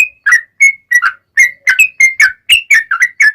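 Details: Yellow-vented bulbul song meant to trigger other bulbuls to sing: a steady string of short, bubbly whistled phrases, each a quick two-note warble, delivered without pause.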